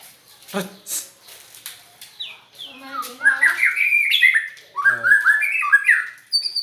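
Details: White-rumped shama with an odd song: scratchy rasping notes at first, then fast rising and falling warbled phrases, ending on a thin high whistle.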